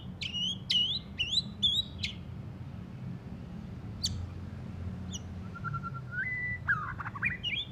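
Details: Recently moulted white-rumped shama: four quick repeated hooked whistles in a row, a pause with isolated sharp clicks, then a long level whistle stepping up in pitch and a few twisting notes.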